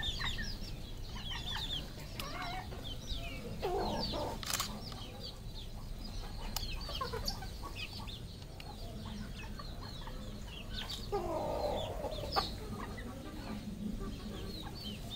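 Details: Red junglefowl flock at a farm in Cambodia, busy scatter of high peeps and occasional clucks over fifteen seconds, with sharp knocks and a persistent low background rumble.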